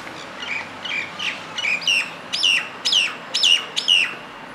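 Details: Common myna singing: a series of about eight loud, slurred whistled notes, each bending sharply downward, delivered roughly every half second and growing stronger toward the end, over light background hiss.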